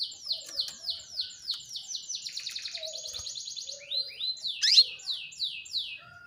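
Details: Female canary calling so that males begin to sing: a rapid rhythmic string of high down-slurred notes running into a brief dense trill, then a sharp rising squeak followed by a few more slurred notes.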